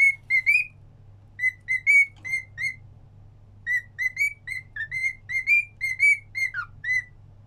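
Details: Cockatiel singing along, pet parrot whistling a repeated melody of short clear notes, some rising, one dipping downward near the end, in bursts separated by brief pauses; faint low hum throughout.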